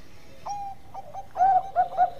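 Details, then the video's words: Perkutut of the Bangkok type, a zebra dove singing vigorously: soft low coos lead into three louder, rounded coo notes near the end. "Perkutut Bangkok Gacor Ampuh buat masteran"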